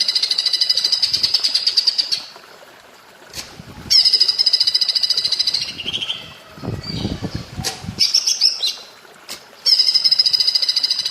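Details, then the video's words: Cucak ijo (greater green leafbird), platuk bawang-style training song. Repeated bouts of fast, high, chattering notes are broken by pauses, clicks, and a low rumbling sound in the middle. "Masteran cucak ijo rasa platuk bawang"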